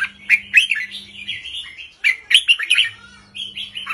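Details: Caged red-whiskered bulbul with a short, easy song in 3-4-5 counting style, meant to excite other birds; two dense bursts of bubbly, warbled notes with a quieter pause between them and a faint hum.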